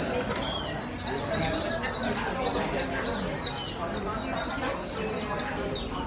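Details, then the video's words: Wild-caught white-eye driven to sing fast: quick, high, down-slurred chirps at about three to four per second, loosely rhythmic, over faint low background sound. "Kích chim vành khuyên bổi mau líu"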